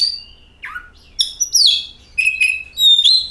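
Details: Oriental magpie-robin lure song to make others sing: a high whistle, a low slurred note, then bright rising and falling whistles ending in a clear sustained tone.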